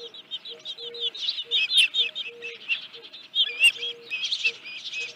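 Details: Osprey at the Dunrovin Ranch nest, 31 July 2018, with a headless fish: irregular, high, squeaky chirps and slurred notes, softer and broken, over a repeating low steady tone in short pulses.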